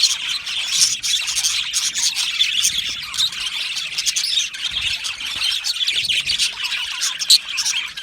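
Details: Many Australian budgies in an aviary colony giving a busy, shrill mix of squawks and quick chirps, with steady chatter broken by sharper louder calls.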